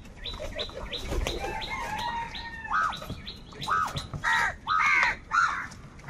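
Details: Crows heard while fighting for food: a busy chorus of small birds chirping rapidly at first, then several loud, coarse, nasal caws in quick succession that grow more frequent and louder.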